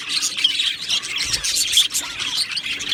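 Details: Aviary colony of Australian budgerigars giving a continuous, dense chatter of high chirps, warbles and short squawks from many birds calling over each other.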